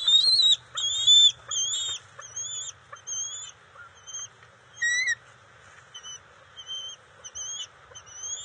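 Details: Bald eagle juveniles at the NCTC nest, June 29, 2021, during eel and fish deliveries: a run of high, thin piping chirps with upturned tips, about one every half second, loud at first, then softer and more spaced.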